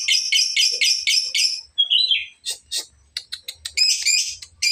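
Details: Young lovebird learning long trills, the 'ngekek' style, with the trills growing longer: rapid buzzy chattering trill for about 1.7 s, a short squeaky note, then scattered sharp chirps and another burst of harsh rapid chatter.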